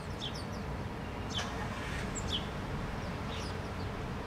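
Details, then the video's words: House sparrows in a park in Helsinki, Finland, in August 2013: a handful of brief, scattered high chirps from several birds, set against constant loud low traffic noise. "House Sparrows in the park"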